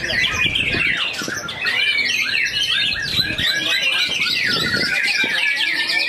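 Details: White-rumped shama singing in a cage at a songbird contest, BMBK Cup 3, Lampung, 17 December 2023; a busy, high, fast-changing song of sharp whistles, chattering runs and scratchy phrases over a crowded background of birds.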